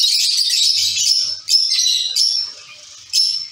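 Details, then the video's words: Zebra finches kept as a colony in a cage, producing a continuous wash of high chirping with sharp louder notes standing out at intervals over steady chatter. "Zebra finch sound & activities"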